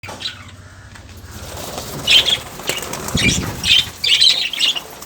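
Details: Lovebirds giving a few shrill, high chattering bursts, mostly in two clusters in the second half, over a low rumbling background and soft rustling.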